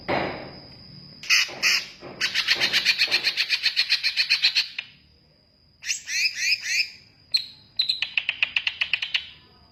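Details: Greater green leafbird in full song, mixing rapid buzzy rattling trills repeated several times a second with bursts of sharp chirped notes and clear whistled slurs, plus a steady high thin tone running through.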